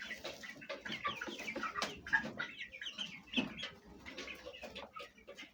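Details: Hens and chicks of the Fayumi breed, kept at home, eating and jostling; irregular low clucks mixed with many sharp, high chick chirps and a few louder knocks.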